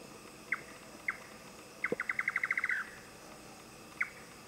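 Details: Indian Nightjar in Thailand: a few spaced, knocking 'chuk' notes, then a quick accelerating run of about nine ending in a short slurred flourish, and a single 'chuk' after, against a quiet background.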